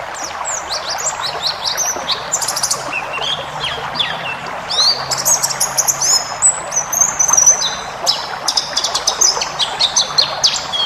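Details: White-eye song for training caged birds, 'ngalas' style with full fill-ins: dense bursts of rapid high chirps and thin trills alternating with quieter stretches, loudest in the latter half, over a continuous hissing background.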